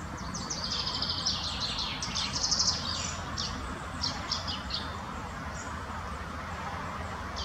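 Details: Spotted flycatcher in Munich's Botanical Garden gives a quick burst of high, thin chirps during the first three seconds, then scattered single squeaks, all over a steady low rumble.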